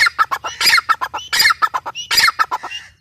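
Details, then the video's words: Loud grey francolin (teetar) calling: harsh, rasping notes repeated fast in groups, with louder broadband bursts every second or so and a brief clear whistle near the end, over a faint low hum. "gray francolin teetar sound"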